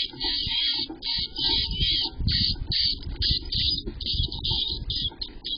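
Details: At a chickadee nest holding five chicks on May 25, 2023, high, buzzy, hissing bursts come in quick runs of about one a second, over low thumps and scraping close by.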